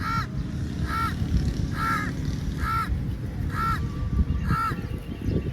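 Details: Crows gathered for food at feeding time: six evenly spaced, hoarse caws, about one each second, stand out over a dense low rumbling background.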